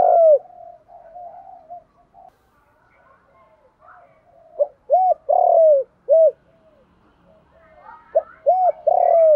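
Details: Spotted dove call used as a decoy to lure doves: low, hollow coos in short groups, each note arching briefly, separated by pauses with softer murmuring notes between.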